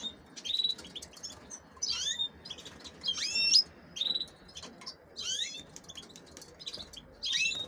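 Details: Caged female canaries, intended for pairing with goldfinches, repeat short, high, rising calls with a buzzy edge roughly every second, with faint soft chips between them.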